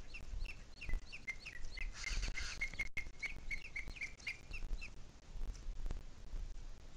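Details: Booted eagle in the Sierra de Guadarrama, 2 July 2021 at 17:53, giving a fast series of clear, whistled notes, about four per second, that sharpen and brighten through the middle before fading out, with brief gusts of rushing noise.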